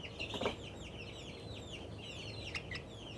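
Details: Excited young Australorp chicken making happy sounds: a quick run of thin, high, downslurred peeps over a low background rumble, with a couple of soft knocks.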